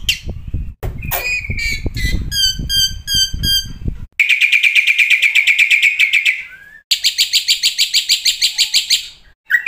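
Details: Black-winged starling training song packed with isian fills, meant to set starlings singing day and night: low rumbling noise under scattered chirps, then long fast buzzy rattles and ringing repeated notes, cut abruptly between sections.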